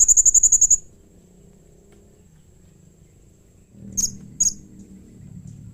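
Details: Call of a blue-crowned hanging parrot used to get other hanging parrots to answer: a rapid run of eight very high, thin notes, a pause, then two sharp single notes over a low rumbling background.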